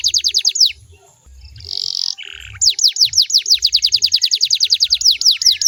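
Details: Canary song meant to get other canaries singing in reply: falling high notes, a pause, a loud buzzy burst and a lower rasping note, then a long rapid roll of sweeping whistles.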